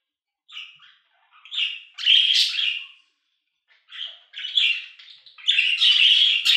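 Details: Pet budgerigars chattering indoors: bursts of scratchy, warbling chirps centred high, in uneven phrases about one to two seconds long separated by short silences, with a louder grating burst near the end.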